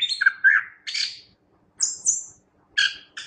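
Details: Chestnut-backed thrush singing energetically, giving short separated phrases: a slurred warble, a buzzy burst, a high thin whistle, then two quick chirpy notes, with silent gaps between.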